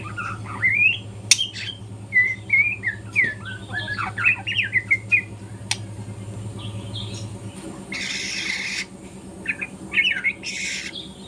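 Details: Young speckled-plumage White-rumped shama learning to sing in the morning: varied whistled and slurred notes, rising and falling, in quick bursts, over a steady low hum that stops midway, followed by two loud harsh noisy bursts.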